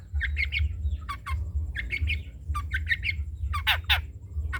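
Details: Long-tailed shrike of the trotol type, kept as a tutor for other birds to copy: harsh, buzzy chattering bursts in quick clusters, with sharp down-slurred notes near the end, over a steady low hum.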